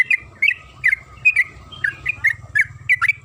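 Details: Yellow-vented bulbul, local trucukan kebo, singing rapidly to stir other birds into song: short, rich, gurgling notes in pairs and singles, evenly spaced, with a faint low hum beneath.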